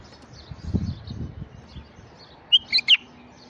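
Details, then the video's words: Male white-eared bulbul singing to attract wild bulbuls: after low rumbling, three short, loud whistled notes follow in quick succession near the end. "تغريد بلبل عراقي فحل لفتح البلابل الوحشية"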